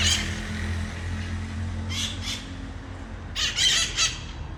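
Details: Red-masked parakeets landing outside a balcony in Ecuador, giving two bursts of harsh, loud squawks separated by a pause, over a steady low rumble of traffic.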